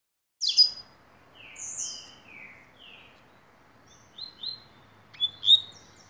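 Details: Rusty-collared seedeater singing the tui tuí song style, notes for tutoring: a sharp high opening note, then slurred descending whistles and buzzy downslurs, a few short chips, and a bright final flourish, with a quiet background.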